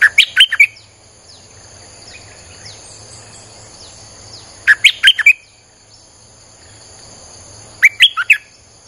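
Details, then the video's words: Wild-bird lure of Streak-eared bulbul song: three near-identical phrases of four to five sharp, bouncing chirps, spaced about three to four seconds apart, with a steady high-pitched drone and faint background chirps between. "Suara pikat merbah lekir"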